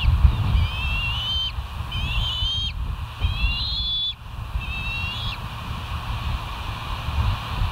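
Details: West End bald eagles calling at dawn, 05:22 on 08/04/2023, from a live nature camera; four bouts of high, slightly wavering whistled piping notes roughly every 1.3 seconds, then quiet, with steady low wind rumble throughout.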